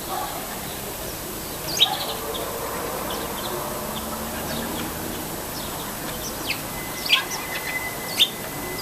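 A sparrow gives a few sharp, high chirps, spaced seconds apart, over a steady hiss; a faint thin steady tone runs under the last two seconds.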